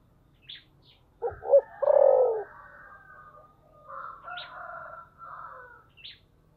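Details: Spotted dove singing in the thổ sấm (Sấm Thổ) voice style: two quick, deep, clipped notes lead into a long, strong, falling coo. Faint thin chirps and whistled twitters from other birds follow in the quiet.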